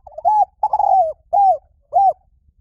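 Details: Liw tan style song of a spotted dove, used as a lure for training birds to sing back. Four smooth, hollow coos: a short one, a long wavering one that drops at the end, then two short arched notes.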